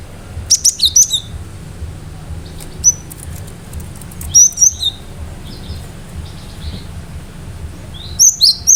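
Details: Cinereous tit singing actively with sharp bursts that should set other birds responding: clusters of high, quick whistled and clipped notes repeated several times with short quiet gaps and soft chirps in between.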